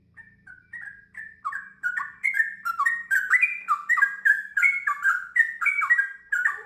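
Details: Sooty-headed bulbul in gacor song, ngiwir leading into long ropel: short fluty notes at first, building into an unbroken, tumbling sequence of warbled whistles, with a soft low hum early on.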